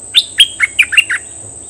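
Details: Short phrase from a Cream-vented bulbul decoy bird, May 2021, described as aggressive: six crisp chirps in quick succession, each dropping slightly in pitch, against a steady high background whine.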